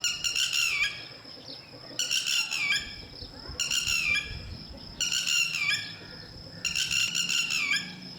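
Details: Lapwing, a bird whose male and female pair guard their chicks until they can fly, giving loud, shrill, harmonic calls in five bursts about every one and a half seconds. Each burst is a rapid series of sharp notes with a faint low rumble behind.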